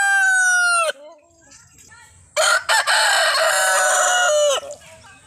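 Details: Desi rooster gives two loud, harsh crows: a short one under a second, then a longer, drawn-out crow of about two seconds, with soft clucking between.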